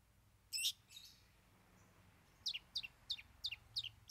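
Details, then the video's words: Long-tailed Shrike singing a song that unloads three mimicked fillings over a base song: one harsh, buzzy burst, then a quick run of five sharp, high, downward-slurred chirps about a third of a second apart. "Cendet Bongkar 3 Isian"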